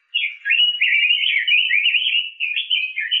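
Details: Continuous warbling from an orange-headed thrush, an Indonesian master bird for songbird training: a steady, unbroken stream of twittering, wavering whistles held at one pitch band for three seconds.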